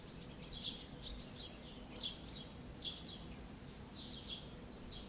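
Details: Barn swallow pair feeding a chick during the breeding season, Alzira, Valencia, late June 2016. Bright, high-pitched chirps in quick clusters repeat roughly once a second, with soft outdoor background noise underneath.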